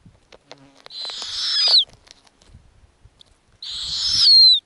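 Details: Snowy owl owlets on an Arctic nest, fed lemmings by their mother: two harsh, hissing screeches near a second long that swell in loudness and end in a thin downward sweep, with faint clicks and rustling between them.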